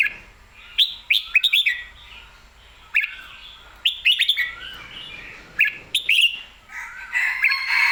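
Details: Red-whiskered bulbul, excited and singing clearly, delivering short bubbling whistled phrases in repeated bursts roughly every second or two, with crisp clicking taps and a busier rush of warbling at the end.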